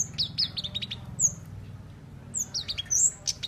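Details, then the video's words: Tame cage-kept flowerpecker uttering a few short, high, chattering trills, then a gap and several thin sharp tsit notes, over a low droning hum. "Cabe cabean Gacor Jinak"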